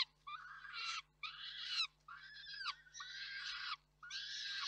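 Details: Harsh, nasal wailing cries from peregrine falcons at the KOKSIK nest in Reda on 4 May 2023, during food delivery by the father and feeding by the mother. Five rasping, buzzy calls come roughly once per second over a faint low hum.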